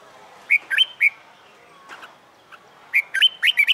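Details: Caged wild-caught red-whiskered bulbul practising fighting song gives two phrases of bright, swooping whistled notes, three then about six, with soft chatter between them.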